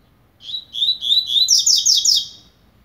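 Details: Double-collared seedeater starting to warm up, singing a two-second phrase of clear rising whistles that break into fast, repeated, buzzy high notes, ending abruptly against near silence.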